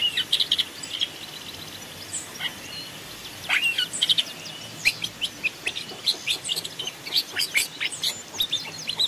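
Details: Long-tailed shrike, forest decoy recording, pouring out a long, busy babble of sharp high chips and short harsh notes, quieter at first and growing denser, with steady faint hiss throughout.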